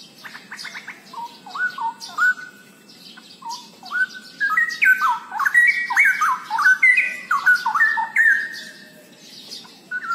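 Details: Straw-headed bulbul, known locally as cucak rowo, singing loud rich bubbling phrases of rapid stepped whistles that leap up and down between low and high notes, in bursts separated by short pauses; faint higher chirps from other birds behind.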